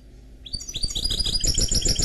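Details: Song of a canary x goldfinch mule: after a brief quiet start, quick rising chirps lead into a continuous bright twittering trill, high and rapid, over a low rumbling background.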